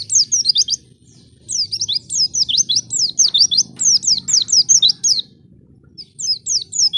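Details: High, twittering white-eye song played to stimulate untrained white-eyes into singing: dense strings of quick downslurred and upslurred whistles, broken by two brief silences, with a low background hum.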